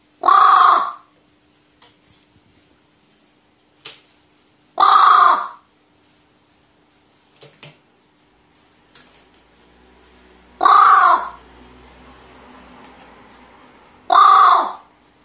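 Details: An excited pet crow, worked up by a toy, gives four loud harsh caws spaced a few seconds apart, each a short burst, with quiet room noise and faint small sounds between.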